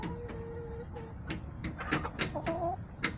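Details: Backyard chickens with a steady drawn-out hen note, then shorter tonal clucks amid scattered clicks and scratching noises.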